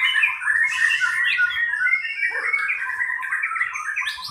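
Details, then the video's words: White-rumped shama singing in a simulated 'pastol' class bird contest, pouring out a fast, continuous run of varied chirps, trills and clear whistles with little pause, plus a brief rasping burst early on. "kelas murai batu pastol"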